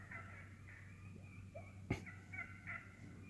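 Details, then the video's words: Vocal wild turkeys feeding in a wood: short purrs and clucks, with one sharp click-like knock near the middle and a couple of brighter clucks after it, above a low drone. "Real Wild Turkey cutting, purring, clucking in the woods"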